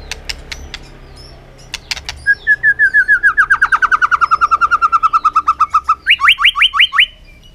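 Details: White-rumped shama in contest singing under afternoon sun: a few sharp clicks, then a long fast series of about thirty descending slurred notes, ending in five rapid upswept whistles.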